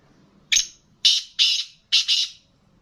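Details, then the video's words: Black francolin (kala teetar) kept for sale, calling in a harsh, scratchy phrase of four loud rasping bursts about half a second apart, the final burst split in two, with a quiet background. "Black Franclion Voice Kala Teetar ki Awaz"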